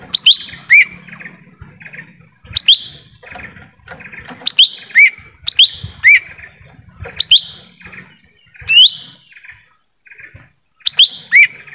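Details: Lesser green leafbird calling in forest, a lure for wild birds: frequent bright rising whistles, singles and pairs, around a dozen over twelve seconds, mixed with faint rattling notes and a constant high background tone.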